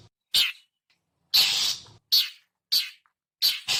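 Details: Long-tailed shrike lure call: a handful of abrasive notes, a short sharp rasp, then a long grating screech followed by three quick harsh chips.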